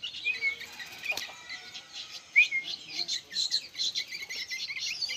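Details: Noisy young sooty-headed bulbuls give a continuous chatter of high, fine chirps. A couple of clear upswept whistles stand out, and there is a brief click near the start.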